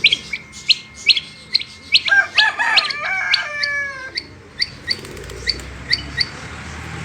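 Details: Female rain quail chirps, quick and high-pitched, repeat throughout, interrupted midway by a louder harsh, drawn-out call with stacked tones from another bird, then the quail chirps resume.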